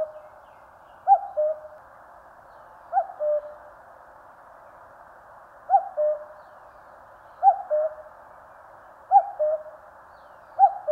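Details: Common cuckoo calling in the mountains of Korea: a clear, steady two-note cuck-oo, the first note higher and the second lower, given six times in about eleven seconds over a quiet background.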